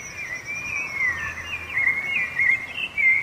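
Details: Rufous-bellied thrush song, which serves to mark territory and attract a female: continuous warbled whistled notes wavering up and down over a thin high tone and soft background noise.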